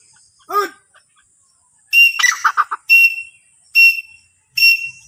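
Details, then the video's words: Francolin (teetar) gives loud, shrill, ringing notes repeated about once a second, after a brief rising-and-falling note and a quick chattering burst. "Teetar ki awaaz | teetar sound"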